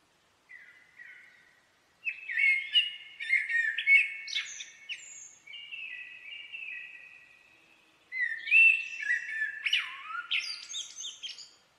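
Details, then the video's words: Blackbird singing two extended phrases of deep fluting whistles mixed with chattering high twitters and sliding notes, a short quiet gap between them, no other sounds present. "Blackbird song"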